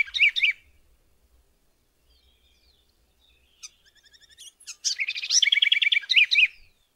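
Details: House wren at Alto San Miguel, a bird said to sing often all year: a short burst of chattery notes, a few faint scattered chips, then a long rapid bubbling song of buzzy trills and rattles.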